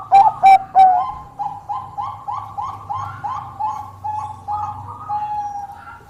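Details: Bangkok-type zebra dove in full song, said to lure and challenge rivals: three loud rolling coos open, then a long run of softer, evenly spaced cooing notes with low background hum.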